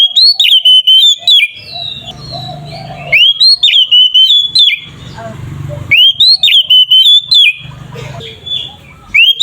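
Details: Repeated loud phrases of an Oriental magpie-robin in ngeplong fighting song, meant to provoke rivals: four bursts of sharp, rising clear whistles, each several notes long, with a low hum between them.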